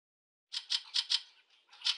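A Fieldfare gives harsh, dry chack notes, four quick ones about a fifth of a second apart, then a softer rasp and another chack. No other sounds.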